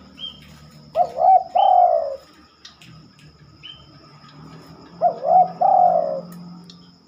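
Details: Spotted dove cooing after dark, uncommon for the species: two matching phrases four seconds apart, each a quick curled note then a sustained falling coo, with thin high chirps and a steady low hum behind.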